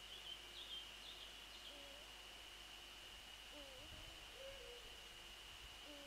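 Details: A pair of Eurasian eagle-owls, male and female, call at dawn on 28 February 2014; high bird chips open, then several soft low hoots follow one another, with a brief low rumble and a constant thin high tone.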